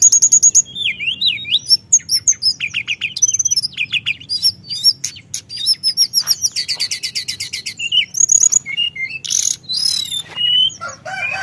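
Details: Continuous song of a Sunda whistling thrush meant to provoke other birds: a long, varied stream of wavering whistles, fast buzzy trills and sharp high chips, delivered almost without pause.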